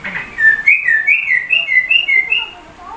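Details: Sooty-headed bulbul song imitating a white-rumped shama, made of a rapid run of bright whistled notes that alternate between higher and lower pitches, each note sliding smoothly, in a steady, rhythmic sequence.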